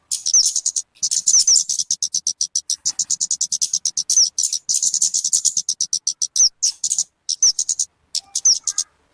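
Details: Talokan, also called kemade, calls used for luring birds or as master song for training: dense rapid high chips and short rising whistled notes, repeated almost without pause, with a faint low hum underneath.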